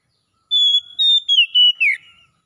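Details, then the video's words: Oriental magpie-robin in wild-style 'ngalas' song, played as therapy to restore a bird that has stopped singing: a long steady high whistle, then a run of short clear whistled notes ending in a quick downward-sweeping slur, with no other sounds. "SUARA NGALAS TERAPI PEMULIH KACER NGEDROP BUNYI CEPAT GACOR"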